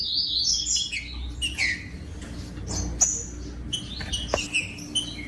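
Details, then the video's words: Green-winged saltator kept in captivity, singing to stimulate cold birds: high whistled slurs and short descending phrases among clicks, over a constant low background hum. "COM TRINCA FERRO CANTANDO O MELHOR VÌDEO PARA ESQUENTAR TRINCA FERRO"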